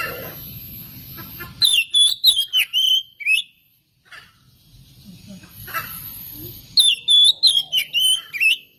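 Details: Oriental magpie-robin song for luring other magpie-robins into singing; two bursts of bright, sliding whistles, each about a second and a half, separated by a quiet gap with faint rumbling.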